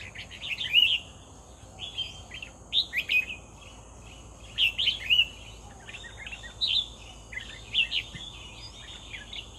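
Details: Lively red-whiskered bulbul song recorded while trapping with a decoy bird: bright, bubbly whistled phrases of three to five notes repeated every second or two, backed by a continuous shrill insect hum.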